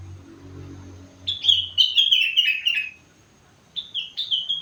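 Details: Sooty-headed bulbul at four months old in full song with rengganis and cucak wilis imitations: a long tumbling series of high descending whistles, a pause, then a shorter repeated phrase, over a faint low background hum.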